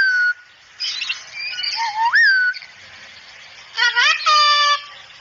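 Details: Cockatoo calling in a recording used to train cockatoos to talk and chatter: harsh harmonic squawks and a rising whistled note, in short bursts separated by quiet gaps.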